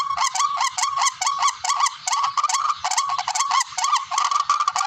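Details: Hunting-lure recording of a barred rail: a rapid chain of coarse, upslurred honking notes, roughly two or more per second, loud and insistent, with a slightly uneven rhythm.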